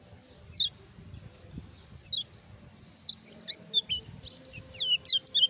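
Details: Lemon-bellied white-eye singing actively, used as a lure to provoke rival birds and as a tutor recording: thin, high descending whistled notes, sparse at first, then quickening into a run of short chirps, over faint low rumble.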